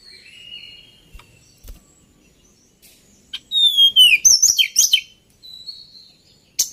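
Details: Male White-browed Shortwing: faint thin whistles at first, then a loud burst of sharply descending slurred notes and quick high chips, followed by a soft whistle and a final sharp note.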